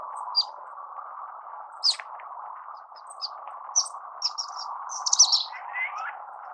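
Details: Orange-cheeked waxbill (Estrilda melpoda) singing with sparse, thin high chirps that build into a denser cluster and a lower sliding phrase near the end, over a steady low hum.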